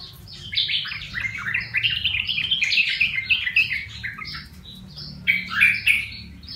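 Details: Wild-caught yellow-vented bulbul, trapped and kept for one month and now tame, singing: a run of bright, chattering, warbled notes, busy and overlapping, ending in a louder rich phrase, over a low background rumble.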